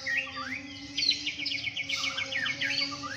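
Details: A White-rumped Shama at a songbird contest, where judges score loud, varied, unbroken song, sings a varied phrase of rising whistles and a quick run of sharp, chattering notes over a steady low hum.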